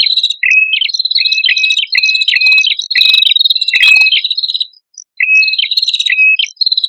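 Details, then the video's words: Male and female red-headed prinias used as a lure, chirping in quick stepped phrases of high notes that jump down in pitch, with a brief pause near the end before the phrases resume. "Suara Prenjak Kepala Merah Jantan Dan Prenjak Kepala Merah Betina"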